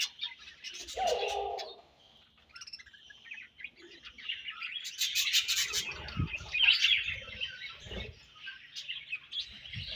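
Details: Chattering budgerigars in a colony, overlapping high chirps and rapid warbled notes with a short quieter gap, then a loud burst of scratchy twittering and a few low thumps.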